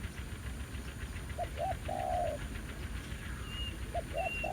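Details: Spotted dove at a ground-decoy trapping spot revisited after over a year: one full phrase of two brief hoots and a long steady coo, then a second phrase begins. Faint high whistles from another bird are also heard, with low rural background noise.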